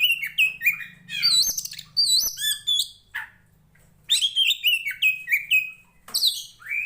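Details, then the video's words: An Oriental magpie-robin (Copsychus saularis), a strong fighting songbird, sings rich bursts of high whistled and scratchy phrases, rising and falling, in three quick bouts over a faint low hum. "SUARANYA BIKIN POCI KACER MANAPUN EMOSI Kacer teapot bird(Copsychus saularis)"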